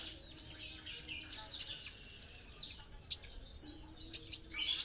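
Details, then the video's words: Olive-backed sunbird (kolibri ninja) in a masteran recording: scattered sharp, very high chips and brief downward-sliding squeaks spaced irregularly through a short, fairly quiet passage. "masteran kolibri ninja gacor"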